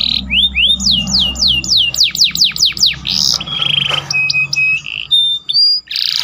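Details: Canary song carrying imitated phrases, used for training other birds: sharp falling whistles, a buzzy trill, short whistled pips and harsh bursts.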